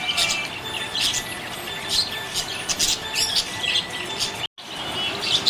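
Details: Cheerful budgerigar chatter of sharp, high, grating chirps and squawky notes in uneven clusters, a brief dropout near the end, steady background hiss.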